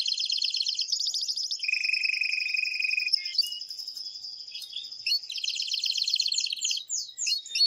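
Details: Male canary in an excited state delivering strong song meant to stimulate the female to mate. It moves from high rapid trills into a lower steady rolling tour, then back to quick ringing trills and fast chattering notes.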